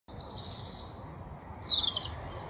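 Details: European robin singing in its natural surroundings: a faint thin high whistle, then a louder, brighter twittering burst of high notes near the end, over a soft steady background hiss.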